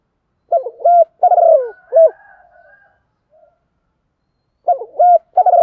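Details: Spotted dove used as a decoy to attract wild birds, giving two cooing phrases of short upward-hooked notes and a longer falling, slightly trilled coo, with a quiet gap of several seconds between them.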